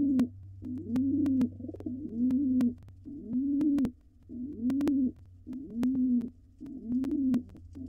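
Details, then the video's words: Inside a nest box, a wild male pigeon coos while the female dances in courtship before laying. The deep, burbling coos come in a regular series of about six phrases, with a constant low mechanical hum and scattered ticks. "Pigeon court each other a lot before laying. Here the male coos and the female dances."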